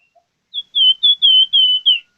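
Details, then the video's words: Plamboyan bird singing vigorously (gacor): a run of six clear whistled notes, each a short slightly falling slur at a steady high pitch, delivered in quick succession over about one and a half seconds in otherwise silent surroundings. "BURUNG PLAMBOYAN Gacor"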